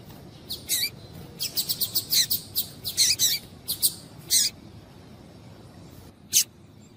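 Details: Female Double-collared Seedeater call used to stimulate males into song: a fast run of crisp high chips that slows into separate notes, a pause, then one last loud chip.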